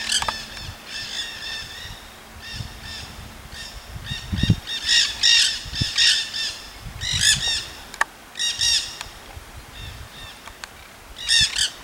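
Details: A wild flock of Nanday parakeets in Solstice Canyon, Malibu, California, on 9 March 2017 gives harsh, grating screeches in ragged bursts about once a second, several birds overlapping over low rumbling wind.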